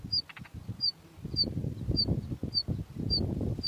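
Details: Two hungry bush lark chicks in the nest give thin, high, short chirps about every half second, steady and even, over low rustling and fluttering throughout.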